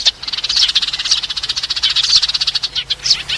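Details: Sparrows calling the flock, a sound used for trapping: a continuous fast rattling, buzzy chatter throughout, pulsing evenly with a few brighter chirps near the end.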